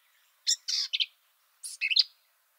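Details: Black-capped Vireo song, recorded at Kickapoo Cavern State Park, Texas: two quick, scratchy phrases of three or four harsh, high notes each, about a second apart, with no other sounds.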